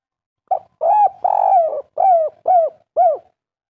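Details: A local natural-voiced spotted dove performs one kuk 3 phrase. A short coo leads into a pair of long, slightly falling coos, followed by a trio of crisp arched notes. No other sounds.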